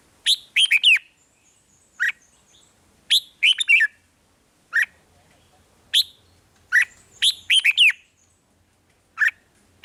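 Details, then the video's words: Caged-bird excitement playback of red-whiskered bulbul song, Thailand: lively clusters of clear whistled, slurred notes, single short calls between bursts, phrases recurring roughly every second or two over a quiet background. "เสียงนกกรงหัวจุก ร้อง ริก เปิดให้นกฟัง ยั่วให้นกคึกจัด"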